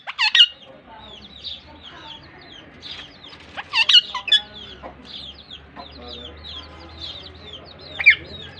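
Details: Pair of Pakistan ringneck parakeets (rose-ringed parakeets) conversing in Larkana, Sindh: shrill screeches at the start, around four seconds and near the end, separated by quieter chattering twitters.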